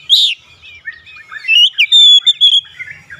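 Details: Oriental magpie-robin (kacer) starting with a short harsh burst, then a twittering sequence of varied whistled notes that rise into a sustained clear high tone.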